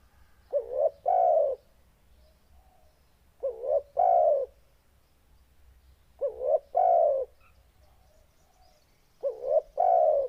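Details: Deep-voiced, loud spotted dove cooing steadily. Four low two-part phrases, each a quick upturned note then a sustained mellow coo, repeat roughly every three seconds with near silence between.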